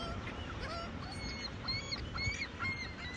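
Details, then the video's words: Seagulls calling at a supercharger in Hines, Oregon, with scattered thin, whistled, slightly rising cries repeating irregularly against a noisy background. "Seagulls at the supercharger, Hines OR"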